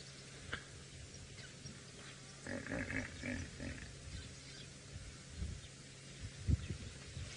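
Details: Guineafowl alarm calling up ahead near a dam on a sunrise safari drive at Djuma, Sabi Sand, South Africa, April 12, 2018: a distant burst of harsh, rattling cackles lasting about two seconds, over a steady low engine rumble.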